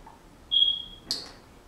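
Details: Male pet Senegal parrot indoors, whistling bits of a song he is learning: a steady, pure, level whistle held for half a second, ending in a short harsh burst.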